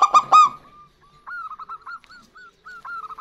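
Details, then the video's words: Zebra dove duet of a local female and male answering each other; two loud, resonant cooing notes open, followed by a series of soft, rising arched notes. "Perkutut Lokal Gacor Betina Dan Jantan Bersahutan"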